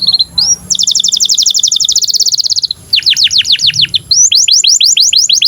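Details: Canary in breeding condition, song for training young canaries: short whistles, then a dense rapid trill, followed by falling slurred notes and a run of rising-then-falling chirps.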